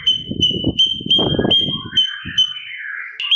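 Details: Sooty-capped babbler in a training master recording: an even high whistle with rhythmic bright accents and gliding lower phrases, over noticeable low rumbling and knocking noise.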